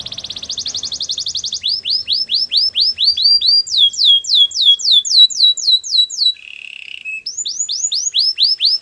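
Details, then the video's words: Canary song for training, a series of rolled tours: a fast buzzy trill high up, then repeated downward-curving whistled notes about four a second, a higher run, a low rattling roll and more slurred notes. "Canary's training song"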